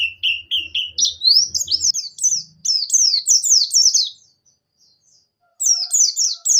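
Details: Javan white-eye (pleci buxtoni), sung in the vigorous ngalas ngerol nembak style played to coax silent white-eyes into singing. High whistled notes that climb and then roll as fast down-slurred phrases. A low hum sounds at the start, and the song stops briefly before resuming.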